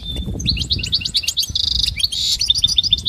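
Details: Goldfinch song played for training and motivating singing: rapid twittering run of sharp chirps and trills, with a brief buzzy stretch in the middle and a low rumbling background throughout.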